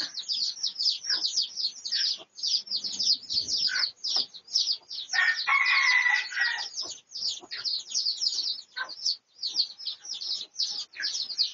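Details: Pradu-coloured red junglefowl recorded for research on 18 August 2023: one loud, harsh, harmonic call lasting about a second rises out of a continuous carpet of dense, high, rapid chirping that fills the whole recording.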